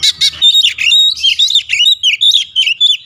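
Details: Oriental magpie-robin: two harsh rasping notes open a continuous, rich stream of varied high whistles and slurs, rapid and melodious.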